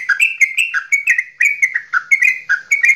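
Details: Straw-headed bulbul from Java giving goklikan song meant to spark singing in other birds: punchy, warbling notes about four per second, alternating higher and lower pitches, in a quiet setting.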